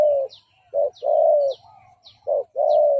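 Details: Lure cooing of a spotted dove for enticing combative males: deep, drawn-out coos in two groups, a short note then a long level coo, with a faint low hum and sharp high chirps from another bird in the background.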